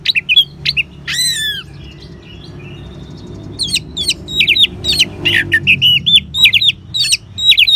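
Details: Orange-headed thrush singing ngeban style, used as a lure to get caged birds singing: high whistled slurs and a loud descending sweep, a quieter gap, then a fast rich run of varied chirps and whistles.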